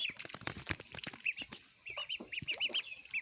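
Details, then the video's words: Little ducks feeding, with loud clattering and tapping noises at first, then a few high arched peeps spaced through the second half. "Funny baby ducks eating food"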